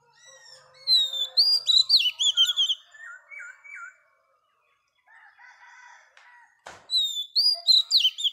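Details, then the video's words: Oriental magpie-robin, a wild-caught female, sings to rouse males: rapid loud whistled phrases that slide and trill at high pitch, a quieter stretch of repeated lower looping notes, a pause, then another bright whistled burst. "Choè than mái bổi lên giọng hót kích trống"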